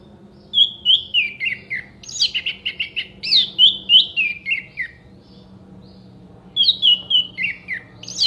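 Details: Anis merah, the orange-headed thrush, in lively contest-style song with sharp clear shots: cascading series of descending whistled notes, about three per second, in two bursts separated by a quiet gap, faint low hum behind.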